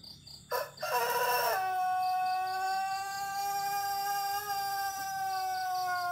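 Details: A Pelung rooster of the Cianjur breed gives one long crow: a rough, ragged opening, then a steady, slowly falling tone held about four and a half seconds, with faint insect chirps pulsing behind.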